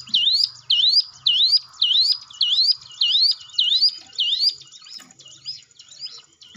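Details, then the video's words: Lure recording of a hill prinia for training timid caged birds to sing: crisp V-shaped whistles repeated rhythmically, loud at first, then fading and softer over the last seconds. "ciblek gunung diam saja kurang loss mental ciut latih dengan pancingan ini"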